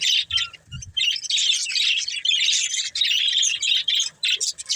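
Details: Pet budgerigars, a breeding pair, warbling in fast scratchy bursts of high chirps broken by brief pauses, with a couple of soft low thumps at the start.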